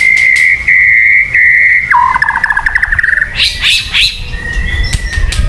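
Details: White-rumped shama lure song: long steady whistled notes repeated, then a lower buzzy trill, followed by quick rising and falling whistles.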